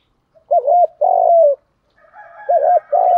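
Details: Spotted dove 'thúc gù' lure voice used to excite birds: one full phrase of a quavering double note and a long falling husky coo, then a second phrase beginning over a faint steady hum.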